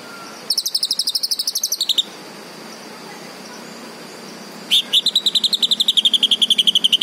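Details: Green leafbird delivering a long fast buzzy trill lasting about a second and a half, a pause, then an even longer rapid trill that slowly falls in pitch.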